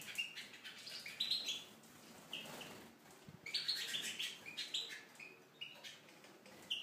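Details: Tunisian goldfinch singing in an aviary: quiet, fast twittering phrases of high tinkling notes and short buzzy trills, in bursts with brief pauses, with faint wing flutters and room noise behind.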